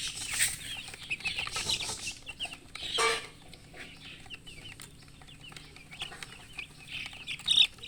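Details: Chickens chirping, described as a murgi hen with colour chicks: scattered short, high, downward-slurred peeps, some overlapping, with brief bursts of rustling noise between calls.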